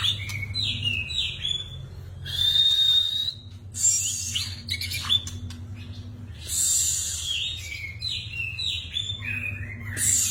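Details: White-rumped shama song of varied whistled and slurred phrases, some rising and falling, interspersed with harsh buzzy bursts; low electrical hum throughout.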